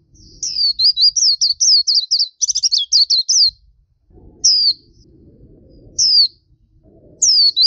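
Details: Black-capped white-eye singing energetically in gacor masteran style, a fast chain of wavering high notes for three seconds, then single downslurred notes spaced a second or more apart over faint background rumble.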